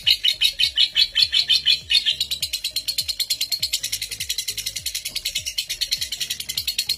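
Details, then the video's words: Lovebird ngekek used as a training master: a sustained high rattling trill, its pulses quickening over seven seconds, with low rhythmic music underneath. "Pancingan Lovebird NGEKEK PALING PANJANG Pemegang REKOR Saat ini | Ngetik Ngekek"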